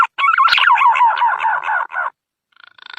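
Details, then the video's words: Bird-catching lure call of a green pigeon: wavering, descending whistled notes run together in a fluting phrase. Faint quick pulses follow after a brief pause. "SUARA PIKAT BURUNG PUNAI"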